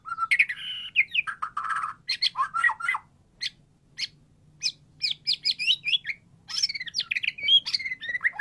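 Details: Varied white-rumped shama song serving as a prompt for a silent bird: whistled slurs and buzzy notes, a short pause, then quick sharp chips and twisting high phrases.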